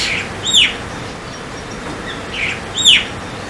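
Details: Javan myna, also called White-vented Myna (Acridotheres javanicus), gives two loud, sharp downslurred whistles about two and a half seconds apart, with softer chirps between them over a faint background hiss.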